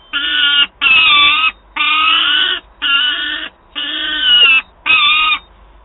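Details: Peregrine falcon young calling to its mother for prey in Wałbrzych, Poland, 9 August 2022: six loud, grating, whining calls at a steady pace, each about half a second long.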